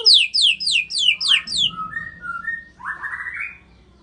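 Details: Medan, Indonesia white-rumped shama delivering a quick run of six descending high whistled slurs, then three short pure low whistles and a final buzzy, rising warbled phrase.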